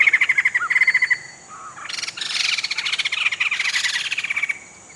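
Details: Sumatran laughingthrush (Garrulax bicolor), one of two pairs of rescued trapped birds in rehabilitation cages in Sumatra awaiting release: two quick bursts of about eight bright, even chirps, then a loud, harsh, rattling chatter lasting several seconds, over a thin steady high hiss.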